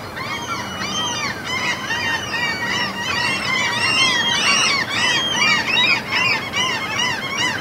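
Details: Chorus of seagulls at a fjord in mountainous Norway, a steady barrage of harsh, harmonic, downslurred yelps from numerous birds, overlapping and repeating fast throughout.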